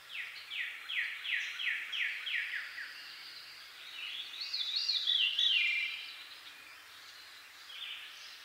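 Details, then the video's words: Veery (tawny thrush) in eastern North America sings a breezy, spiraling run of about eight downslurred notes, each dropping lower, then a brighter tangled phrase, over a soft hiss; a cardinal and red-winged blackbird are in the background. "Veery Bird Song"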